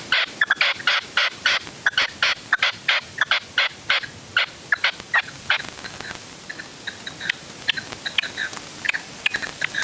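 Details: Red-legged partridge used as a decoy for hunting, upper Huelva, Spain, first afternoon stand of the 2023 season on 25 January; a long, rapid, rhythmic series of harsh chuckling notes, several per second, trailing into softer scattered calls.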